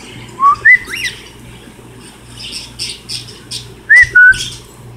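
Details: Pet cockatiels, kept at home: a few clear whistled notes, each sliding upward, come in two pairs about three seconds apart. Faint scratchy rustles and soft clicks fall between them, over a steady low hum.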